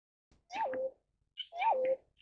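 Pheasant-tailed jacana giving two nasal, cat-like mewing calls about a second apart, each swelling up then dropping to a steady lower note; background otherwise quiet.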